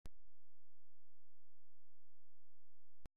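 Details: A steady low electrical hum fills the recording, with clicks at the start and end and no animal voice. Nothing else is heard.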